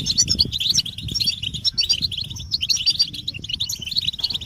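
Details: Several European goldfinches twitter together in a recording meant to excite males and end their silence; quick liquid chirps and short trills tumble over each other continuously at high pitch.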